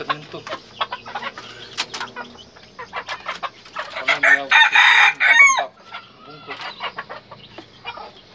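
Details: One harsh, cut-off crow from a red junglefowl cock near the middle, with steady rapid clucks and chatter before and after it.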